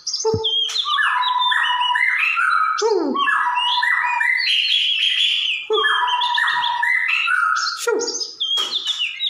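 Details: White-rumped shama, described as gacor (singing energetically), filmed in 2021: a rich run of varied whistled and warbled phrases, stepped notes around mid to high pitch with sharp upward sweeps, repeated in bursts with brief pauses.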